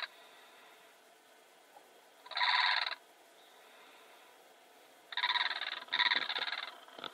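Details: Blue crane: a loud, harsh, rattling call lasting under a second, then a pause, then two more rasping calls close together, all over a steady background hiss.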